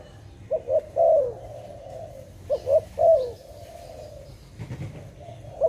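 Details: Dove giving two full coo phrases, each a pair of short rising notes and a long wavering coo fading downward. A brief rustle follows, then a single short coo near the end.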